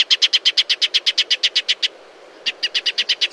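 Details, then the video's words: Shining sunbird in natural desert surroundings, rattling off a fast, even run of clipped notes, pausing briefly, then resuming the same chattering series. "Shining Sunbird’s Call"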